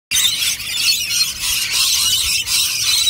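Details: Rainbow lorikeets calling: loud, harsh, continuous high screeching and squealing from a group of birds, dense and unbroken with brief dips in loudness.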